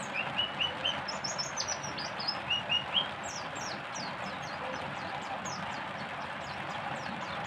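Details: Oriental white-eye 'tembakan' song: a run of bright high chirps and twittered notes in the first three seconds, then only faint distant high notes over constant background hiss.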